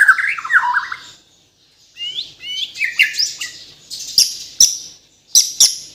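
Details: White-rumped shama from Kalimantan, Borneo, singing a varied song: falling warbled notes, a pause, then rising high whistles and several loud sharp clicking notes.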